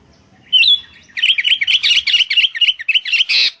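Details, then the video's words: Sooty-headed bulbul calls used for luring birds, several birds answering each other: a clear whistled note, then a rapid bubbly run of chirping notes repeated several times a second, ending in a harsher burst. "Suara PIKAT Burung Kutilang GACOR Bersautan"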